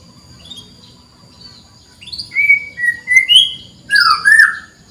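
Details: Canary call used to tutor reluctant singers: after quiet faint notes, a clear set of whistled phrases, some falling and some rising, given in short bursts about a second apart and ending in a buzzy flourish.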